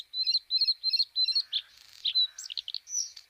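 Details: Bluethroat singing: a ringing note repeated four times in quick, even phrases, then a varied run of buzzy and whistled notes with sharp chirps and slurred rising tones.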